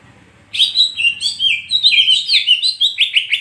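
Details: Greater green leafbird from Rangkasbitung in full, energetic song: a dense stream of bright whistled and chattering notes, rapidly varied and repeated in quick pulses, with a faint low murmur beforehand.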